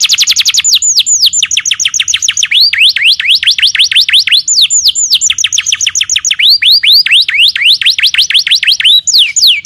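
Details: Canary training song for other birds: continuous rapid sequence of sharp downward-sweeping whistles, some rising, grouped in quick bursts for nearly ten seconds.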